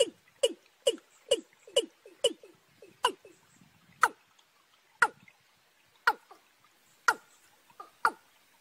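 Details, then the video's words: Watercock, young bird paired with a field bird, in March: rapid burst of falling knocks about twice per second, followed by slower single sharp notes roughly one per second. "cúm núm gà tơ kẹp với cúm núm gà đồng tháng 3"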